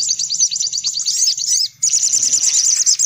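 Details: Rapid high sunbird twitters from a lure for attracting sunbirds: a quick run of repeated sharp chirps, a short gap, then a second, fuller burst of squeaky notes.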